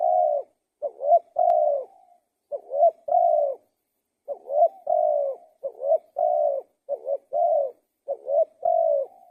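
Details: Spotted dove singing rapidly. About eight phrases of short rising-falling coos and longer sustained coos follow one another closely, with one brief pause near the middle.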